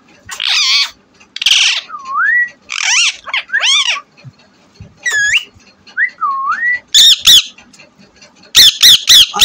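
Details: A pet green talking parrot gives a rapid mix of harsh, buzzy squawks and clear whistled notes that swoop up and down, several bursts every second, with nothing else heard.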